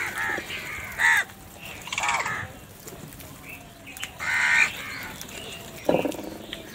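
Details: Crows fighting over food: several harsh, hoarse caws with harmonic bands, scattered across the clip, some short and clipped, one louder drawn-out call near the middle, over a low background hum.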